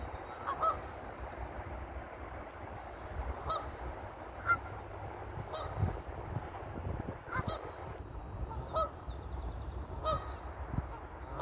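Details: Ducklings following their mother across green grass give short, nasal quacks, single or in pairs, every second or two and at uneven gaps, over a steady low rumble of background noise.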